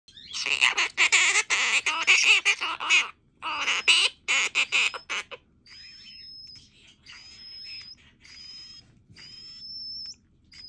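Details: Pet monk parakeet singing to lull a baby parakeet to sleep: a run of harsh, rasping squawks, then a quieter series of thin, high whistled notes repeated about once a second.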